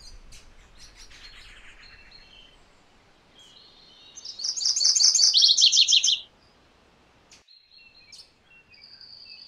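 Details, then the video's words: Amid a hissy background and faint distant notes, a MacGillivray's warbler delivers a loud two-second song of rapid high chips that slide downward in its second half. Thin high whistles come before and after. "MacGillivray's Warbler Song ! MacGillivray's Warbler Sounds ! MacGillivray's Warbler Call"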